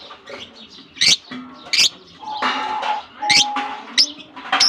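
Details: Flock of lovebirds in a colony during summer, piercing high chirps repeated in bursts roughly every second between quieter twittering and steady tonal notes.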